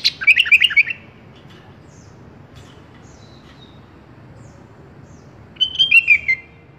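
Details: Tutor-recording song of a sooty-headed bulbul for training pet birds. A jumbled burst of quick liquid notes opens, followed by a long pause with low background hiss, then a second bubbly phrase falling slightly at its close.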